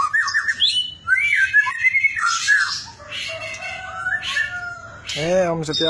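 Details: White-rumped shama singing a lure song to encourage other shamas: varied, fluty whistles and slurred phrases with harsher notes, ending in a sudden nasal, vocal-like sound.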